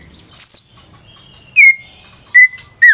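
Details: White-rumped shama singing as a lure: four clear whistled notes spaced about a second apart, the first high and falling, the later ones lower and downslurred, with soft background hiss.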